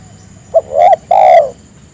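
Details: Single phrase of a spotted dove calling its companions to sing along: a short soft lead-in, then a rounded coo and a longer, steady, mellow coo, loud and clear over faint hum.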